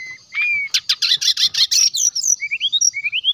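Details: Brown-chested jungle flycatcher in lively ngeplong song, played to draw out rivals: a clear whistled note, a loud rapid rattling trill of harsh notes, then a rising series of sweet upslurred whistles.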